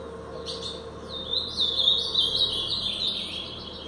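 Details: Ultramarine grosbeak song of the Paraná pardo type: a smooth, continuous warble of quavering whistled notes that rises in loudness and holds for about two and a half seconds, with a low steady hum beneath.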